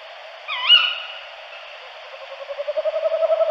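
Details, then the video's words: Tawny owl giving a single rising call that levels into a long, drawn-out tone, followed by a faint, pulsing low note that grows louder toward the end. "Allocco (Strix aluco)"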